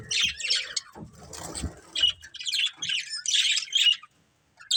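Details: Colourful budgerigars living as a family squawk and chirp in quick clusters of harsh, high notes, with a low rumbling patch early on and a short silence near the end.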